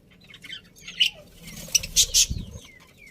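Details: Budgerigars in a pet colony, described as happy, giving scattered high chirps and short warbled notes, with a few louder buzzy bursts near the middle and soft low rustling or wing noise.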